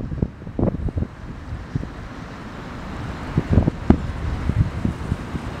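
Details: Heavy low wind rumble buffeting the microphone, with scattered thumps and crackles and no clear animal call.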